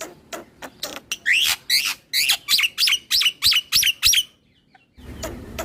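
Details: Black-winged starling (jalak putih) singing full 'ngeroll', nodding, to provoke other starlings: a steady string of harsh rising notes about three per second, then silence and low noise.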